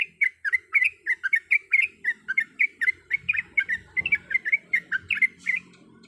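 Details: Sooty-headed bulbul, a female calling the male: quick, even, chirpy notes, about three to four per second, continuing for six seconds before fading slightly at the end.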